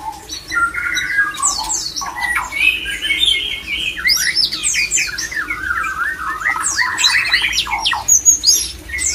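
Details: A male white-rumped shama delivers its breeding-stimulating song: a held whistled phrase followed by a rapid cascade of steep, scratchy high sweeps and chips, tumbling on without pause, with a low background hum.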